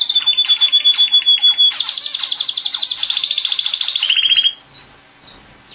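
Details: A male pet canary sings a loud, rolling song of fast repeated trills. Each phrase is a rapid run of bright notes shifting in pitch, and the song ends abruptly after about four seconds.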